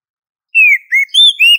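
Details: Female Oriental magpie-robin calling to a male: four clear whistled notes, the first two falling slightly, the last two higher and rising, given in quick succession after a brief silence.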